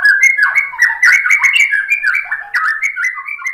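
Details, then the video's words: White-rumped shama warbling meant to provoke other shamas into song: a continuous, rapid medley of jumbled, up-and-down whistled notes with no pauses. "OCEHAN MURAI BATU Untuk Merangsang BUNYI jadi NYAUT GACOR"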